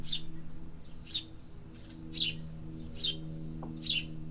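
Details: High, clipped chirps from city birds, five notes roughly every 0.8 seconds, with a steady low mechanical hum and a faint tonal drone in the background.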